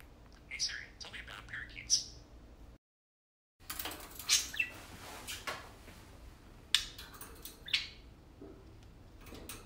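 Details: Two tame pet parakeets chattering while playing indoors, short scattered chirps and squawky syllables with a brief silent gap, then more irregular chirping.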